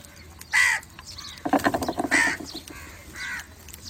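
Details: Crow calling to other crows: three hoarse caws spaced over three seconds, with a burst of rapid clattering or knocking sounds between the first and second caw.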